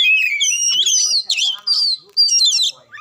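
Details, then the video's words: Short burst of Oriental magpie-robin song meant to spur a reluctant bird: clear high whistles sliding up and down, broken by a few brief gaps. "Cukup Satu Menit Kacer Susah Bunyi Dijamin Langsung Ngamuk Dengar Suara Kacer Satu Ini"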